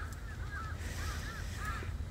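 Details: Crows flock under a persimmon tree on a cold day in Korea while stray cats are fed, giving short, arching caws in quick clusters of two or three over a low rumble of wind or handling noise; the cat feeder notes these are crow sounds.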